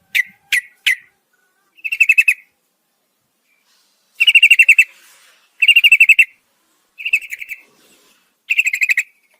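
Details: Yellow-vented bulbul at night, a female calling the male: three sharp separate chips, then short buzzy rattling bursts repeated every second or so, each a quick pulsed trill, with no other sounds.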